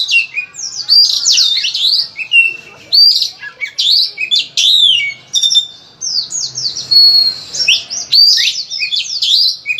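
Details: Loud Oriental magpie-robin master song, dense with varied phrases, intended as a lure to make other magpie-robins sing: quick bursts of high whistled and chirping notes, repeated almost without break over ten seconds.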